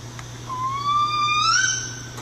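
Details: Northern Spotted Owl: a recording of adult calls played to a captive-bred chick about 10 days old at a breeding centre nest; a single drawn-out whistle rising gradually and sliding higher at the end, over a steady low electrical hum.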